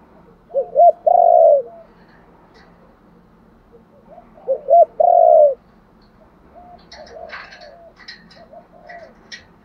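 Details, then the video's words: Spotted dove calling to lure others, repeating its phrase twice about four seconds apart, each a pair of short rising coos and a long full coo; quiet hums and sharp clicks follow. "cu gáy thúc gù gáy gọi/ tiếng chim cu gáy đủ bài"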